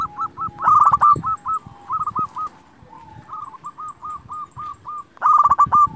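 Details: Local zebra dove in full song, played to provoke other doves into answering: loud rapid strokes flowing into repeated rolling coo notes, a short lull, then more coos and a closing loud burst.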